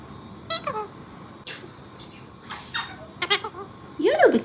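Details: Several pet parrots kept indoors saying peekaboo, each in its own style; short harmonic bursts with bent, wavering tones, ending in a louder rising and falling squawk-like word.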